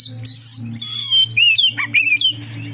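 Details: Oriental magpie-robin singing, used to lure other magpie-robins into song: loud varied whistles and harsh buzzy notes with sliding, warbling phrases, over a steady low hum.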